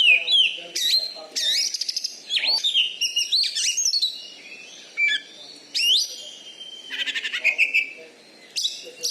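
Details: Caged Oriental magpie-robin (kacer), a champion bird in Bengkulu noted for loud volume and fighting style, delivering rich whistled phrases, sweeping slurs and fast rattling trills one after another.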